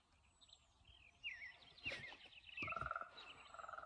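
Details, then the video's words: Two ravens give bubbling, gurgling calls: a liquid rolling burst followed by throaty pulsed calls repeated several times, over a faint background hiss. "Ravens calling with bubbling / gurgling sounds."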